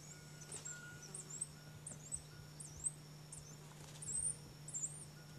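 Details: In Brazil, a Silver-beaked Tanager gives thin, high, sharp call notes, some slurred upward, about once or twice a second over a steady low hum.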